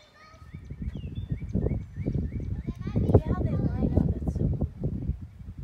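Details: Snow geese flying north over a ranch in Weatherford, Texas, on 23 April 2018; a flock gives short nasal honks with rich overtones, repeated in quick overlapping series, over heavy low rumbling and thumping noise.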